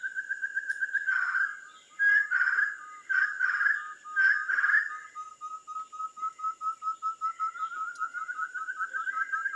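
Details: Ferruginous Partridge at a photography hide near Kaeng Krachan National Park, Thailand: whistled pulses broken by several harsh coarse bursts, then a long series of clear accelerating whistles rising gradually in pitch, with a steady high background whine.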